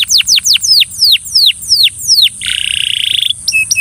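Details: Belgian canary singing to coax another canary into song: loud downward-slurred whistles repeated roughly three per second, followed by a buzzy rapid rattle and a short twittered ending.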